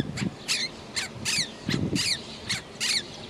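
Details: Quaker parrot (monk parakeet) indoors in a home, giving shrill grating calls that slur downward, about eight bursts in quick, irregular succession, with a soft low thud-like household background.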